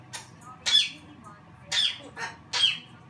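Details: African grey parrot giving harsh, loud squawks, three main ones about a second apart with a softer one between, in a quiet indoor room.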